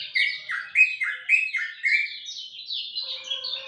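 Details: A lemon-bellied white-eye's dawn song of quick, downward-slurred whistled notes, about two per second, in a lower series then a higher one. A faint steady tone enters near the end.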